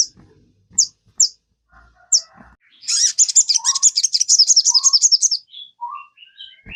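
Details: Sogon used as a singing lure for kept birds: a few isolated shrill chips, then a rapid, rattling high trill lasting about two seconds, followed by scattered short whistled notes.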